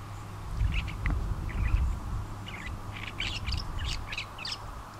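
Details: A Northern Shrike perched on wires beside rail tracks at Port Coldwell, north shore of Lake Superior, Ontario, on 12 October 2011, sings a halting medley of short squeaky and harsh chattering notes, quickening near the end, over low wind rumble.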